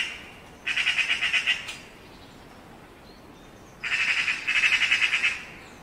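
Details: Eurasian magpie (Pica pica) gives two harsh, dry rattles, each about a second of rapid chattering notes, separated by a short pause; nothing else is heard.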